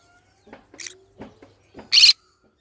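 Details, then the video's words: Green-cheeked conure kept as a pet: several soft, low chattering notes and a faint rising whistle, then one loud, harsh broadband screech near the end. "green cheek conure sounds"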